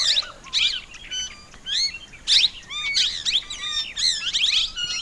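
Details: Plum-headed parakeets calling together: a dense jumble of shrill, squeaky high notes, many sliding up or down, in rapid irregular bursts with brief pauses.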